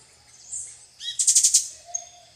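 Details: Plain parakeet (Brotogeris tirica) eating bananas with tanagers and other birds at a private reserve in Guaramirim, Santa Catarina, Brazil; a quick burst of about five shrill, very high, scratchy notes, with faint other bird sounds around.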